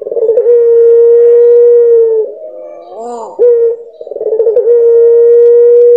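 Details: Puter pelung dove delivering long, loud, pure sustained coos lasting about two seconds each. A softer wavering harmonic phrase sits between them, and pulsing onsets begin each long note.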